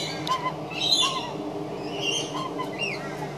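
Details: Adult magpie making strange, weird sounds: a series of soft gurgling warbles with short high squeaky and whistled notes over a steady low background hum.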